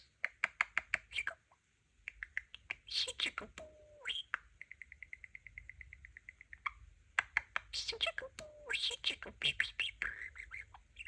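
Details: Pet budgie, a young male, indoors producing dry clicks and chirps, then a fast steady train of electronic-like beeps lasting about two seconds, followed by more clicking chatter and short whistled notes.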